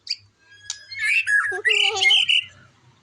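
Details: Varied, rapid song of a white-rumped shama, mixing squawky harsh notes with whistled slurs and rich warbling, delivered almost continuously with faint low background hum.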